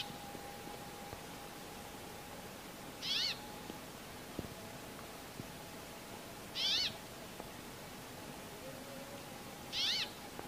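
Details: A Brambling calling to its mates gives three drawn-out, nasal, wheezy notes, each about half a second long and spaced three to four seconds apart, over a faint steady hum.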